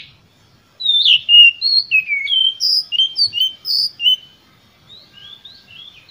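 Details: Oriental magpie-robin in full emotional song, played to provoke rivals: after a short silence, a lively string of sweet whistled notes, rising and falling, delivered rapidly, then quieter scattered phrases.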